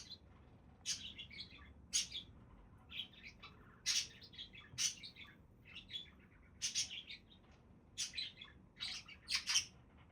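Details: Budgies keep up steady, lively chatter: bright, scratchy, high-pitched chirps and warbles about every half second to a second, with no other clear sounds.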